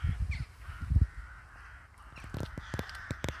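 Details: In a village in winter, a crow gives a drawn-out hoarse caw among low thumps, followed by a series of sharp clicks and taps.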